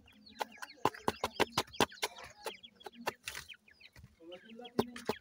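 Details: Several new teetar chicks being hand-raised call while fed, their high downslurred peeps running on over a fast series of loud hard pecking taps and a low hum.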